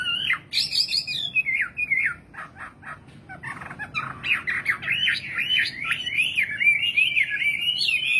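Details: A nightingale sings a few looping whistles and clipped, rattling notes, then a long, tumbling, rising-and-falling warble.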